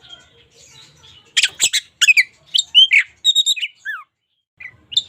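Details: Local white-rumped shama singing a distinctive song for daily tutoring, opening with soft notes, then bursts of harsh chatter followed by clear whistled slurs, including a descending whistle, and scattered short notes.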